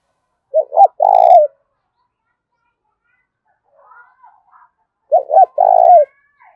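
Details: Spotted dove's fierce challenge calling, thổ-đồng voice style: a three-part phrase of two quick hooting notes and a drawn-out buzzy coo, repeated after a gap of about four seconds, with faint soft sounds in between.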